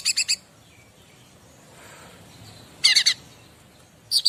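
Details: Bar-winged prinia master song: brief clusters of three or four sharp high buzzy chips, spaced by quiet stretches with light background hiss.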